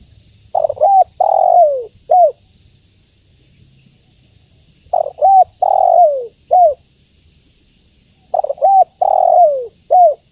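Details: Repeated call of a female spotted dove summoning the male. About every four seconds comes a phrase of two brief coos, a drawn-out descending coo and a short closing coo. Faint low rumble early on.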